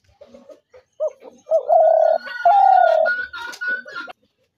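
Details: Spotted dove calling: soft short lead-in notes, then two long loud coos, with a thin steady whine and some bird chatter behind.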